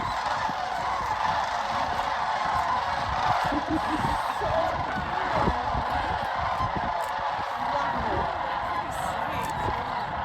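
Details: A large gathering of sandhill cranes at Jasper-Pulaski Fish & Wildlife Area near Medaryville, Indiana, November 22, 2023: a steady wall of rattling, bugling calls from many birds at once, with faint human voices beneath.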